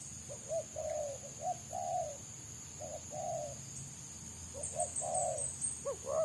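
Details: Wild spotted dove sought by bird trappers, its song described as dense and fast in the selang nguku style; soft low cooing notes in short groups, some rising at the end, with a steady high hiss behind.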